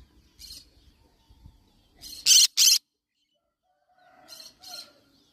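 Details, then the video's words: A yellow-sided conure lets out a loud double squawk, coarse and noisy, with softer, quieter squawk pairs before and after it and some faint tonal sounds. "Yellow sided conure parrot bird sound"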